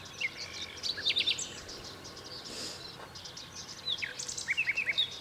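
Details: European goldfinch singing by the Eastriver at Skala Kaloni, Lesbos, Greece, in May 2010: short bursts of bright, tinkling, twittered notes in two clusters separated by a quiet pause, with soft natural background noise.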